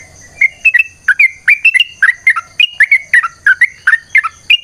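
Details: Yellow-vented bulbul giving a long, rapid fighting-style song used as a lure: bubbly liquid notes in quick pairs and triplets, some rising and some dipping, about three per second, over a steady faint high whine.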